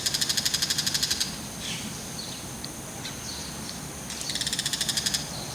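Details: Bull-headed shrike calling with a mantis clamped in its beak; a rapid harsh chattering run, then softer, varied short downslurred calls, then another fast chatter burst at the end.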